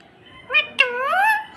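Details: A pet parrot talking during a Hindi exchange indoors: a short voiced syllable, then a longer, nasal, wavering word that rises and falls in pitch, over a faint room hum.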